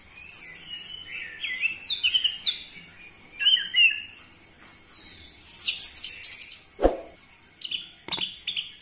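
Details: Orange-headed thrush lure song for caged birds: varied high whistled and slurred phrases that shift into thin, very high twitters, broken by a sharp click and a second snapping sound near the end.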